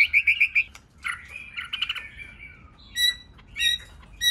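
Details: White-rumped shama song, used to excite shamas to sing: a quick burst of repeated whistled notes, a warbled phrase with a falling slur, then sharp high chips after short pauses.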